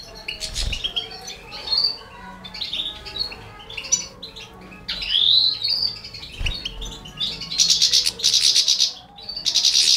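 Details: Scattered high chirps, one long rising-falling slurred note midway, then loud rapidly pulsed buzzy bursts from the four baby canaries a Balkan goldfinch is feeding.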